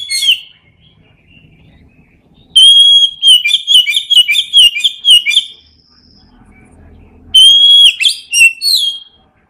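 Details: Oriental magpie-robin singing ngeplong style for training lazy birds to sing: a long, loud phrase opening on a clear whistle into rapid ringing notes, a quiet spell, then another strong whistled phrase.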